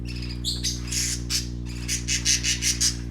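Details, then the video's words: Young parakeets playing give harsh, scratchy squawks and chirps, a quick run of about six bursts in the last second, over a steady low mechanical hum. "Parakeet Babies playing - Original sounds"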